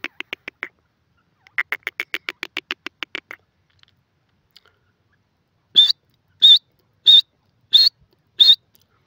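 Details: Grey francolin: two runs of fast, dry clicking notes, a pause, then five loud, high, wavering whistled notes spaced about two-thirds of a second apart.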